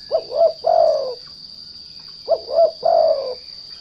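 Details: Lure spotted dove (derkuku) cooing to provoke untrained doves: two mellow, low phrases, each of two quick bouncing notes then a long sliding coo, roughly two seconds apart. A steady shrill hum runs throughout.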